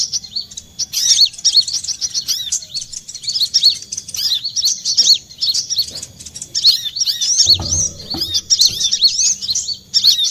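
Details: Olive-backed sunbird used as a lure sound for trapping birds: dense, high-pitched twittering of sharp chirps and arched notes in rapid bursts, with brief pauses and a short low thump near the eighth second.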